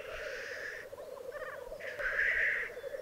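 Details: Lekking black grouse in a display arena in Italy's Piedmont Alps, 2022; continuous low rolling bubbling beneath two long rasping hisses, with a short stuttering chuckle between them.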